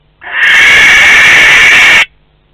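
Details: A single harsh, hissing screech of under two seconds, starting and stopping sharply, from a barn owl of a pair at its nest box in Théding, 12 May 2020.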